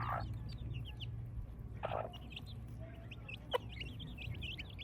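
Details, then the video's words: Village chicks on a morning, giving rapid high thin chirps in quick bursts, with a couple of lower, louder clucks from an adult chicken and a faint low background hum. "Cute Chicks Chirping Sounds"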